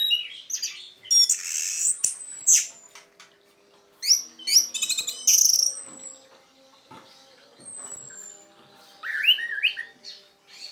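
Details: Orange-headed thrush giving its original intense 'teler' song, used to lure other orange-headed thrushes into singing: varied high, sharp whistles, thin sliding notes and chattering bursts separated by short pauses, ending in a quick descending whistled phrase.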